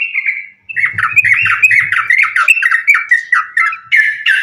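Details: Sooty-headed bulbul singing nonstop in fighting style, meant to coax other bulbuls into song: a steady chain of short, lively warbled phrases, with a faint low hum beneath the first half.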